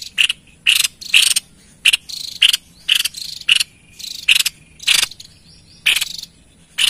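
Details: White-chested babbler singing actively, used to lure wild birds: harsh, buzzy bursts with a brighter note inside each, about a quarter-second long, given in quick succession with short gaps, over a faint steady hum.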